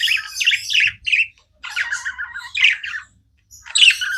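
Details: Domestic budgies chirp in short separate bursts of scratchy, warbling notes, about four phrases with short silences between them.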